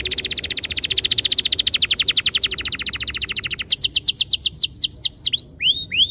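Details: Canary singing a long rapid roll of evenly repeated notes, played as a lure to prompt caged canaries to sing, then breaking into looser, sweeping whistled phrases.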